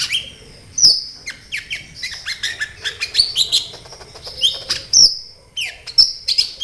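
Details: Kolibri ninja sunbird in lively full song, played as a lure for other birds: dense, high twittering with quick descending chirps, sharp whistles and short trills, delivered in bursts with brief pauses.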